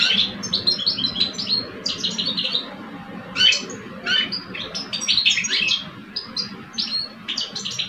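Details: Caged European goldfinches, an old male and a two-year-old male, compete in song. Short tinkling, twittering bursts repeat every second or so, some sharp and buzzy, with a low hum underneath.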